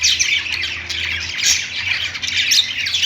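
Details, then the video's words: Budgerigars singing on a perch in a pet store fill the room with a dense burst of shrill chirps, whistled notes and scratchy squawks from several birds at once, plus a faint low hum. "budgies singing on perch | parakeet chirping sounds in pet store"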